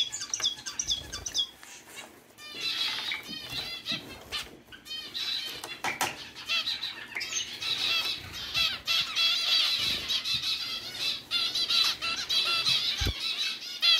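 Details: Several zebra finches, pets, one sliding around under a flower and getting wet, give dense nasal chattering calls around the upper range, rapid and overlapping, mixed with wing flutters and splashing bursts.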